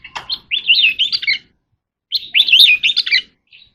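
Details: Oriental magpie-robin in contest singing: two bursts of rich, warbled, fast-changing whistled phrases, each about a second long, separated by a brief pause, with a short faint note at the end.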